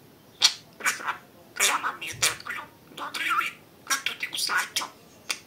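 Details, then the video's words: Budgerigar kept as a pet talking indoors, a lively run of sharp clicks and raspy, high imitated-word syllables with quick irregular spacing. "Говорящий попугай Кеша 🥰 Волнистый попугайчик разговаривает"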